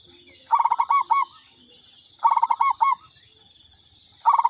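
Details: Repeated lure call of a local zebra dove: three phrases of fast, bubbling coo notes, each closing on a longer note, spaced under two seconds apart, with a steady high hiss behind.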